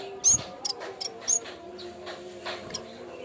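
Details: Bamboo warbler song used as a lure sound for training birds: a few very high, thin, sharp whistled notes in the first 1.5 seconds, then quieter high chips, over a steady low hum.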